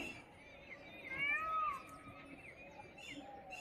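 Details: Indian peafowl, peacock and peahen, recorded 24 April 2024: one drawn-out nasal call with a rising then falling arch lasting under a second, over a steady murmur of background noise and faint distant chirps.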